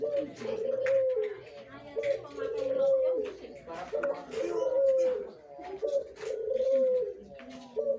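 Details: Mature Barbary dove kept in a cage, ready to act as a master bird, coos steadily and repeatedly about every two seconds while people talk nearby.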